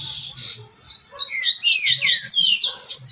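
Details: Tui Tui song of a Double-collared seedeater, played to teach captive birds. A short whistle opens, then a dense, rapid run of sweeping high notes. Low rhythmic thumps sound in the background.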